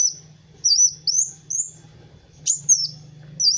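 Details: Kolibri wulung sunbird in lively master song for teaching other birds, giving short bursts of very high, sharp whistled slurs separated by brief pauses, with a soft low hum underneath.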